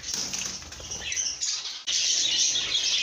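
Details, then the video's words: Happy lovebirds in a good mood give a continuous, hissy, high-pitched chatter of overlapping chirps, quieter at first, then abruptly louder and denser for the final second. "lovebirds make happy sounds"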